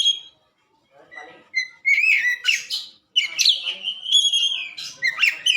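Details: White-rumped shama song used for training caged birds: loud clear whistles around mid-high pitch, a long sustained whistled phrase with rising and falling notes, broken by short gaps and sharper chirps.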